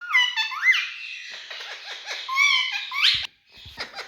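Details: Talking parrot producing loud harmonic whistles that rise and fall, then a run of short downward-sliding notes like chuckling, ending in a bright squawk before a brief pause and a few faint chirps.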